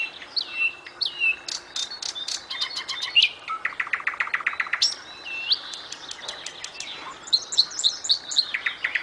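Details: A nightingale sings, opening with slurred rising and falling whistles, then fast dry clicking series and rapid repeated notes, and ending in a burst of high, sharp chirps.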